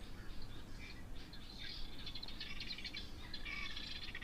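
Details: Guineafowl at an African waterhole on 27 June 2025, likely upset by nearby fish eagles, give harsh, rapid, rattling alarm chatter, repeated in bursts over a low background rumble.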